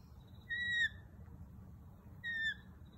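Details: Lorikeets at a kitchen window: two clear whistled notes that fall slightly at the end, spaced about a second and a half apart, over a faint steady hum.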